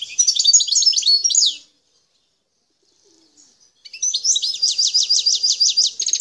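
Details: Algerian goldfinch of the parva form, wild-caught sound from Bouteldja in El Tarf. A burst of rapid twittering stops for about two seconds. It is followed by a long series of repeated, slurred chip notes delivered steadily.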